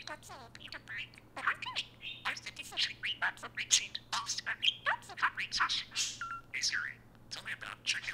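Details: Prolific talking pet parakeet indoors, chattering its speech-like imitation that activates Siri on an iPhone: a fast, continuous stream of high, scratchy syllables and short whistled notes with barely a pause, plus a steady low hum.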